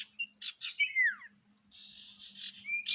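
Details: Sirtu song with varied fill phrases, played to provoke other sirtu: quick chirps, then a clear whistle sliding downward, then a sustained buzzy trill and a final level whistle, over a steady low hum.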